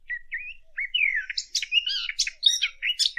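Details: High fig bird warble used for hunting: a few soft rising whistles open, then a busy, chattering run of chirps, trills and scratchy notes building in volume toward the end.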